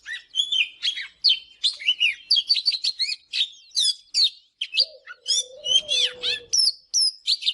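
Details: Oriental magpie-robin singing in the morning, used for song training: a rich, varied run of sweet whistles, slurred notes and scratchy chatters, phrases every half second, with a low steady drawn-out tone around the fifth to sixth second.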